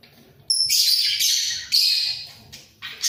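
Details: Pair of budgerigars in a breeding enclosure, heads bobbing: after a quiet start, a sudden high squeak leads into loud grating warble phrases, each fading before the next harsh burst.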